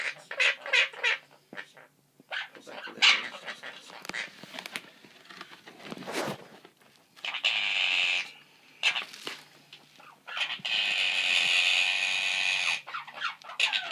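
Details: Two pet Quaker parrots (monk parakeets) chatter in bright, clipped bursts of mimicked speech mixed with harsh squawks.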